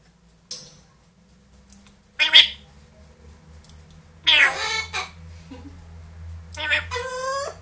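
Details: Screams from pet parrots, a two-year-old grey parrot and a one-year-old Amazon kept indoors: three harsh, broadband squawk bursts a couple of seconds apart, the last turning into a rising tonal call, over a low hum.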